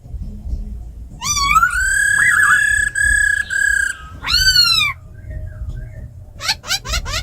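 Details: A tame laughingthrush delivers forest-style song beside a calling female: long level ringing whistles in several phrases, a falling slurred note, then a burst of four rapid rising chirps.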